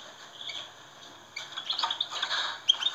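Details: European goldfinch song used to stimulate captive goldfinches: quiet opening, then from halfway a fast, high twittering run of tinkling, liquid notes with a few sharp chips near the end.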